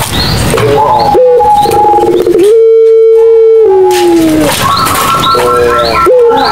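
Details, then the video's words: Barbary dove, Madura puter pelung, cooing to encourage quiet doves to call: choppy rolled phrases around a long, clear, level coo that slides downward, with brief quiet breaks between sections. "SUARA PUTER PELUNG MADURA COCOK BUAT PANCINGAN PUTER PELUNG MACET BUNYI"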